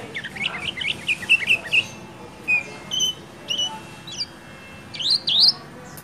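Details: Kecial kuning "ciak ciak" call for stimulating a lazy singer and night training: a quick run of wavering, bouncing chirps, then separated single notes and a final rising, upward-hooked pair.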